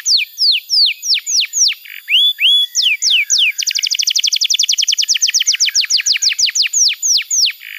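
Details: Canary tutor song used to train young canaries and coax silent ones into singing: a series of loud, descending whistled notes, then a fast, even trill of short repeated notes about ten per second.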